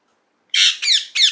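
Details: Three loud, grating parrot squawks in rapid sequence, the first longer and broad, the next two sharp and raspy with downward-sweeping tones, heard in a small room.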